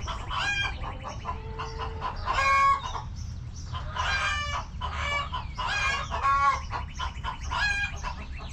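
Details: Backyard chickens in a cozy coop cluck and squawk in dense, overlapping bursts, louder harmonic calls standing out from the chattering flock.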